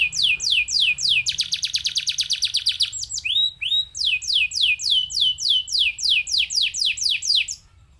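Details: Canary song used to spur other canaries into song: rapid falling whistles, a dense buzzy trill, two rising slurred notes, then long runs of repeated downslurs.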